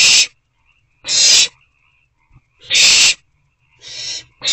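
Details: Very loud, harsh, sneeze-like rasps from owlets in an owl box on an April evening, one or two with food, roughly every second and a half.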